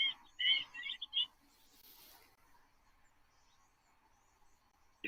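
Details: Black-winged stilt giving a quick burst of sharp, yapping high notes over about one second, a call made when many are together, then quiet with a faint steady hum.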